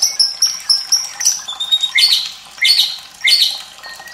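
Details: White-rumped shama song meant to train young birds and stir lazy singers, with gurgling water; quick high repeated notes followed by three loud ringing phrases about every half second.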